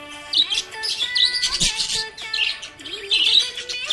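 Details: Happy budgie chirping in quick bright bursts and short warbles, high and squeaky, over steady background music.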